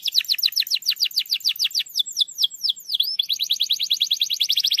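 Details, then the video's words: Singing canary, played to coax a lazy, silent canary to sing; rapid descending note series, slower downward-swooping whistles, a dipping note, then a fast steady high trill. "PANCINGAN KENARI MALAS BUNYI"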